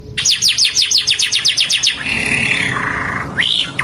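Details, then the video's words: Green Indian ringneck parakeet giving a fast series of about a dozen shrill, downslurred chirps for two seconds, then a steady hiss with a faint drawn-out whistle and a brief rising squeak at the end. "Funny Green Ringneck talking parrot"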